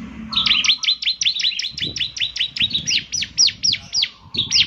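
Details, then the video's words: Bar-winged prinia of the ciblek semi type, in full lively song that sets other birds of its kind singing; a fast chain of about twenty sharp downslurred high notes, the last ones louder and more spaced. "ciblek semi gacor, suaranya yang KHAS bikin ciblek semi IKUT bunyi"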